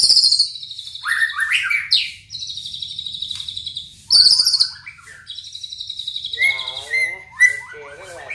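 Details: White-rumped shama song being put together: high buzzy sustained notes alternating with quick descending slurs and a fast chattering burst, followed by lower whistled warbles and a few sharp accents.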